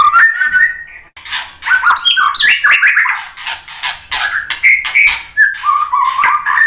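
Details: White-rumped shama lure song meant to make other birds reply: dense, fast tumble of buzzy, harsh and whistled notes, with varied pitch and almost no pauses.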